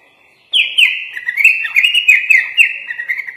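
A Sooty-headed Bulbul sings a continuous, rapid chattering warble of high, slurred notes running unbroken for about three seconds. No other sounds are heard.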